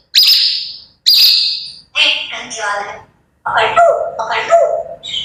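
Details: Morning grey parrot sounds: two bright, high, held whistles open the sequence, followed by buzzy, speech-like chattering phrases in lower, harmonic tones.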